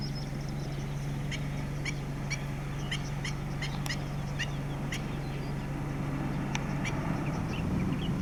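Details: Black-winged stilt pacing to and fro and calling to warn its chicks, Yuanlin wetland, Taiwan, summer 2016: scattered sharp high yelps in loose runs, fading toward the end, with a loud low rumble beneath.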